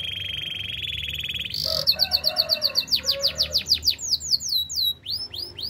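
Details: Canary song opening with a harsh buzzy tone, then switching to rapid runs of sharply descending notes repeated several times a second, ending with separate rising chirps.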